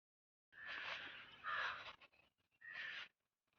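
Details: Indian crow calling in green village surroundings near Hosur: three harsh, hoarse caws, each under a second long, with short pauses between them in an otherwise quiet setting.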